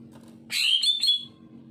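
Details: Greater green leafbird singing actively, used to coax reluctant leafbirds into song: one short bright phrase of warbled, slurred whistles over faint low background hum.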